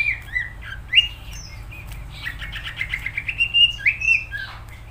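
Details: Indonesian cucak ijo, or greater green leafbird, singing in lively gacor form. Quick varied whistles lead into a rapid series of repeated bright notes, rising to emphatic slurred phrases, over a soft low hum.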